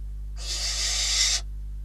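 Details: Catalonian barn owl at its nest, filmed by live cam on 12 December 2021 while prey, first a bird and then a rodent, was brought in: a single rasping, breathy screech of about one second, fairly soft, over a faint steady hum.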